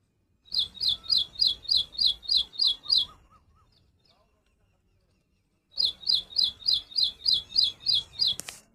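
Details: Little woodstar giving quick, evenly spaced high chirps, about eight in a steady burst, silence for a few seconds, then a second even series, ending with a brief sharp click.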